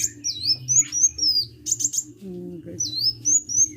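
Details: Vigorous (gacor) sunbird song of high, swooping whistles and brief buzzy trills, pausing midway while a short lower warbling sound occurs, over a low background hum.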